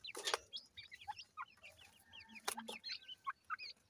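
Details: Grey francolin chicks peep while feeding. Quick, thin, slurred notes, some rising and some falling, come in small clusters amid occasional loud clicks and rustles.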